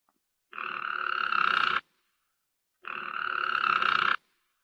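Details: Harz Roller canary singing two low, smooth rolled tours, each lasting over a second, a continuous soft trill with a slight swell in loudness, separated by a short silence.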